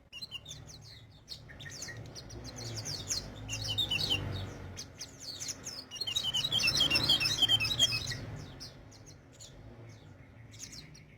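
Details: Energetic sogon song: rising stream of quick, high, sharp chirps building to a dense twittering peak around seven seconds, then fading, above a low background hum.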